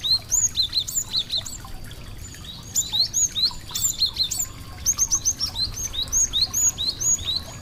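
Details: Little songbirds chirping melodiously: clusters of sharp, high twittering notes and short rising whistles, delivered in lively spurts separated by short gaps, with a quiet background hiss and no other clear sounds.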